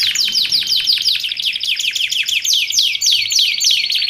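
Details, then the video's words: Canary song for training and luring canaries, made of rapidly repeated falling chirps about three per second, bright and high, delivered in an even rolling rhythm. "Suara Kicauan Burung Kenari Menggila Untuk Masteran Dan Pikat"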